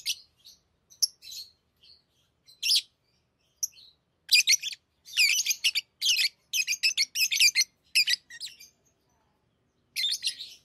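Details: Pet lovebirds playing with rings: scattered single chirps at first, then a busy run of harsh, buzzy chattering notes in rapid succession, ending with another short burst.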